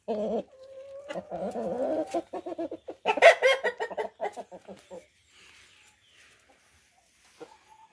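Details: Tame Light Brahma hens raised in a backyard while eating corn give a burst of rapid clucks and a brief tonal note, then fading soft calls and near quiet.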